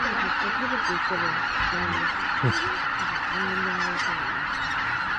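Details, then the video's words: Greater white-fronted geese, a flock of over 83,000 leaving their roost at Miyajima-numa on 23 April 2017 shortly after 4 a.m. in poor weather, recorded on a Canon PowerShot SX710HS: many overlapping nasal honks and yelps over a dense, steady roar of the crowd. "マガン ねぐら立ち"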